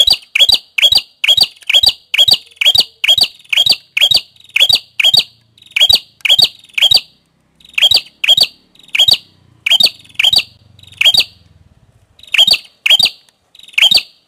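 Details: Prenjak kepala merah, a prinia, gives rapid bursts of loud, sharp, ringing chip notes, closely spaced in runs with short pauses between. Little else is heard beyond a faint low hum near the middle.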